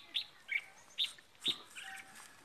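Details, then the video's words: Seasoned decoy red-whiskered bulbul in Ba Vì, Vietnam, after Tết; four crisp whistled chirps about half a second apart, followed by a softer warbling trail. "ra tết có chào mào mồi"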